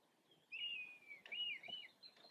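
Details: Pair of red kites displaying over a garden and farmland in Yorkshire on February 24th 2021, at lunchtime on a grotty overcast day. Thin mewing whistles: a long, slightly falling note, then a wavering, quavering one, with faint background hiss.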